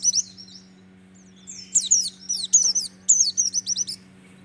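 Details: A Merapi-type white-eye (pleci), a kept bird in full song, sings high, thin, rapid twittering phrases in quick bursts, with a faint steady low hum underneath.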